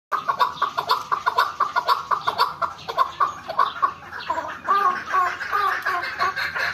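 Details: Farm-kept chukar partridges give harsh, clucking chuck notes about twice a second, several voices overlapping into a rising, rattling chorus.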